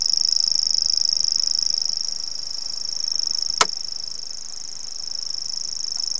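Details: Common grasshopper warbler singing in North Antrim: reeling, a high, dry, unbroken insect-like trill that runs steadily throughout, with one sharp click partway through.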